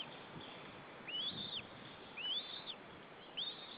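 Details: Lone White-tailed eagle chick calling from an Estonian nest on 25 April 2013. Three clear, high, slurred whistles rise and fall in an arc, about one second apart, against a steady hiss.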